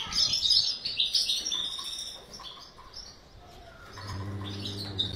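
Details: Aviary-bred European goldfinch giving a burst of high, sparkling twitters that fades to scattered chirps, followed by a low humming drone.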